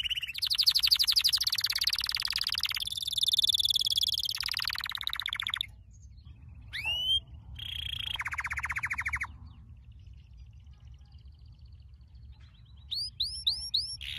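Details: Canary training song with long dense rolls and trills, then quieter gaps holding single upward slurred whistles and a closing series of short hooked whistled notes.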